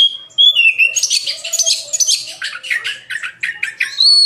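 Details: Kacer, the oriental magpie-robin, singing 'gacor' with 'nembak isian': an opening clear whistle with a downward slur, then dense buzzy chattering notes and a closing high rising whistle.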